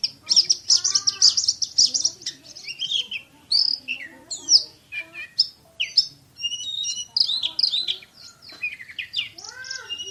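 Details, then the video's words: Champion Oriental magpie-robin in fast, tight 'nembak' shooting song, pouring out varied whistles, sweeping slurs and harsh rapid trills in a long continuous stream. "KACER JUARA SUARA TEMBAKAN !!! BURUNG KACER NEMBAK SPEED RAPAT"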